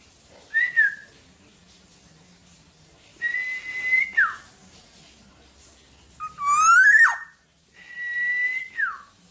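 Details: Black-naped oriole, tame and kept without a cage, giving clear, loud whistles: four separate drawn-out notes, some level then dropping, one swooping up and sharply down, with quiet gaps between.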